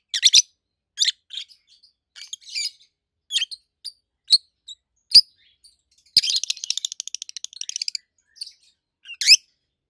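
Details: Loud, high chirps from two adult peach-faced lovebirds kept as pets, spaced short notes, then a rapid run of clicking, rattling chirps before a final sharp squeak, in a quiet indoor room.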